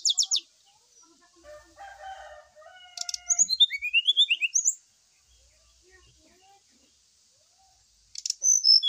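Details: Brown-chested jungle flycatcher lure song, played while birds are aired in the morning dew to make them sing. Sharp high buzzy bursts, then a run of quick rising whistled slurs, then another buzzy burst. Faint lower chattering and a steady high hiss behind.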